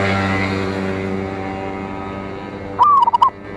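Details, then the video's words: A local zebra dove in strong song, meant to draw rivals. A steady droning, tonal background fills most of the stretch before one late phrase: a rising coo breaking into several stuttered notes. "Perkutut Lokal GACOR suara Besar Ampuh memanggil Lawan EMOSI MANGGUNG PANCINGAN PERKUTUT"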